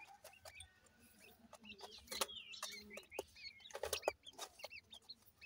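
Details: Partridge chicks playing, giving a busy stream of short high twittering peeps, many curving up or down, overlapping from several chicks, with sharp clicks and taps scattered through.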